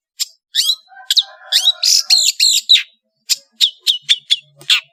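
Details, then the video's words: Madura long-tailed shrike mixing whistled slurs, harsh buzzy chatter and short sharp chips in a busy, irregular song, with brief quiet gaps. "SUARA burung CENDET GACOR master full variasi | ASLI cendet MADURA GACOR DOR"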